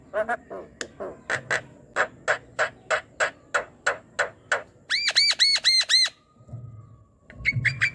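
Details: Asian pied starling singing, played at night to coax a dull, quiet starling into song: rapid harsh repeated notes, then a tight series of ringing arched notes and a brief chattering burst, with low background noise.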